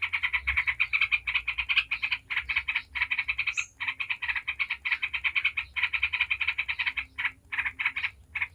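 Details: Rapid 'ngebren' chatter of a yellow-vented bulbul, used as a lure so other bulbuls answer. Harsh, stuttering notes pour out in long unbroken strings with only a few short breaks, plus one brief higher squeak.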